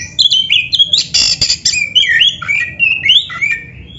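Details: Varied song of a caged black-breasted oriental magpie-robin (kacer dada hitam), meant to prompt other caged birds into song: rich whistled phrases jumping in pitch, with brief harsh rasping bursts and quick upward and downward slurs.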